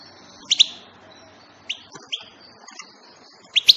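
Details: European goldfinch uttering a quick double chirp, then a few isolated bright notes, and a closing double chirp, against a quiet background.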